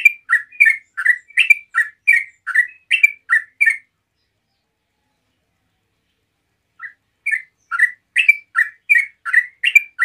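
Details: Yellow-vented bulbul singing rapid 'ropel' song as a lure for other bulbuls: a fast run of chattering notes, about three seconds of silence, then the quick alternating high and low notes start again.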